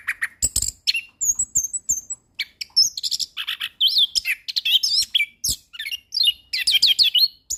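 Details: Orange-headed thrush song recorded as master training material for other songbirds: a fast, varied run of high whistled notes, sharp chirps and buzzy up-and-down slurs, with short pauses between dense phrases.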